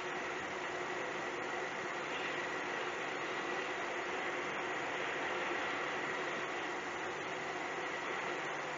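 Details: Steady industrial drone with a faint tonal hum and occasional ticks, and no animal calls.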